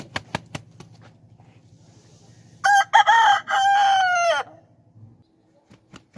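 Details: Aseel rooster crowing after a few sharp taps: a strained crow of about two seconds, starting broken and then held steady, over a low rumble.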